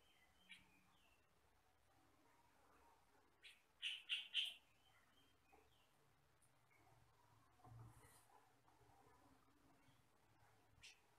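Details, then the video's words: Sooty-headed bulbul of the yellow-and-black 'sutra' kind, kept as a master bird for training others; three quick harsh chirps close together midway, a few fainter notes around them, over quiet background hiss. "MASTERAN BURUNG KUTILANG SUTRA"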